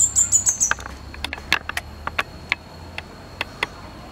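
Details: Wild fire-breasted flowerpecker opening with five high, thin descending notes in quick succession, followed by scattered dry clicks and taps.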